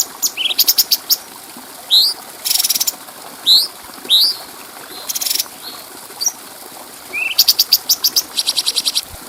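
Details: Stripe-throated bulbul (cucak cungkok) training song for tutoring other birds, mixing rising whistled slurs, buzzy harsh bursts and quick rattling runs of very high ticks.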